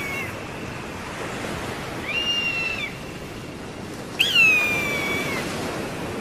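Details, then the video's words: Eagle calling three times against a soft background hiss: a faint high note, then a short level whistle, then a louder scream that falls steadily in pitch. "SUARA MASTER BURUNG ELANG"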